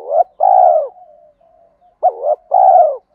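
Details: Two low spotted dove phrases, each a clipped double coo and then a long rough coo that fades downward, with gentle murmuring between them; sounds used to rouse males while training decoys.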